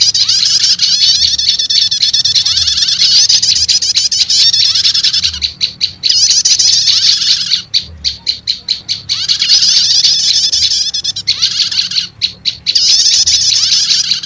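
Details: Lure sound for attracting wild prinias, mixing prenjak lumut and prenjak setater calls: long bursts of dense, high, scratchy twittering alternate with short runs of separate sharp chips, repeating steadily, a faint low hum underneath.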